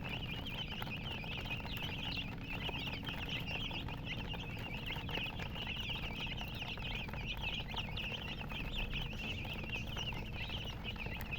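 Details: A flock of colored chicks keeps up a steady stream of high, brief peeps, some sharper clicks and taps scattered through, over a persistent low hum.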